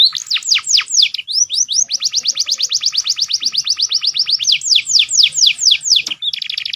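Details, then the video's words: Canary master song with prenjak and ciblek fills: loud falling whistles, then a long even series of rapid descending notes, more sharp downslurs, and a brief buzzy trill at the end. "AUDIO MASTER KOMBINASI BURUNG KENARI FULL ISIAN PERENJAK & CIBLEK KRISTAL CENGKOK MEWAH"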